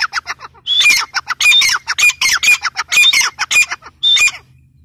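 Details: Close grey francolin delivering a strident, rhythmic run of harsh squawking notes roughly three per second, with thin whistled accents laced through the phrase.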